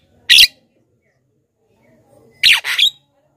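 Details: Javan myna harsh calls for luring wild birds: a single sharp rasping squawk, a pause, then a longer double screech.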